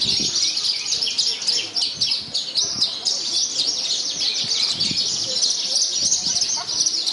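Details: Javan bush lark singing in a contest in Purworejo, buffeted by strong wind, a first-place winner; rapid high twittering and buzzy trills, dense and continuous, with other contest birds overlapping and faint human voices underneath.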